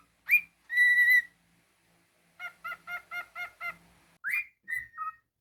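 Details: Pet cockatiel with one sharp rising chirp, a long level whistle, a pause, then six evenly spaced buzzy nasal notes and a few closing whistled slurs.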